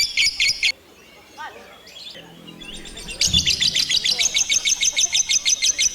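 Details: A lovebird chirps in the ngekek manner: an opening burst of shrill notes, a lull with soft squeaks, then a long steady run of quick, piercing chirps.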